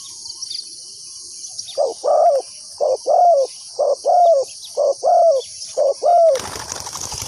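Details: Spotted dove used as a lure to trap wild doves. After a quiet start, five two-note coo phrases repeat regularly about once a second. A burst of harsh rustling noise at the end, with a high insect drone throughout.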